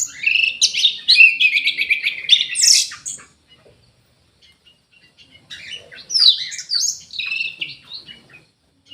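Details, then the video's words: Orange-headed thrush in an aviary singing vigorously: a fast, varied warble of whistled and slurred notes for three seconds, a quiet gap, then a second burst of high, rising and falling phrases. "ANIS MERAH GACOR"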